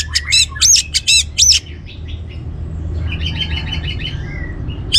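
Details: Orange-headed thrush song for provoking other birds into song: loud harsh chattering notes in quick bursts for over a second, then a quieter fast twittering chatter, all over a low continuous hum.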